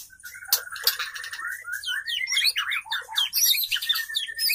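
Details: Caged female white-rumped shama calling to draw a male, a long steady whistle followed by a dense burst of quick chattering, twittering notes.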